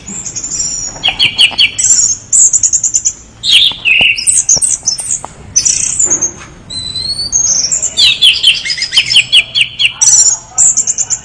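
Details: Orange-headed thrush in full gacor song, a long stream of rapid high trills, buzzy bursts and short slurred whistles with brief pauses between phrases.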